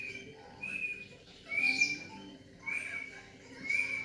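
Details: Young black-legged Medan white-rumped shama, about 3.5 months old and still in juvenile plumage, kept at a house in Yogyakarta: long clear whistled notes, each held about a second, separated by pauses, with faint background murmur.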